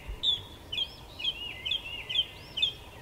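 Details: A brown thrasher sings short, rich whistled phrases high in pitch, about two each second, some swooping up or down, over a soft background hiss. It was recorded in a garden with a bird feeder.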